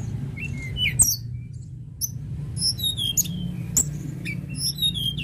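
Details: Tledekan gunung lark singing in bursts of bright high chirps and short whistled slurs, some notes falling, separated by short pauses, with a constant low hum underneath.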